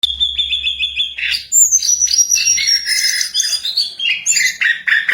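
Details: Jongkangan singing vigorously: a rapid run of repeated clear whistled notes, then varied high warbling phrases with sliding whistles and buzzy trills, with a faint low hum early on.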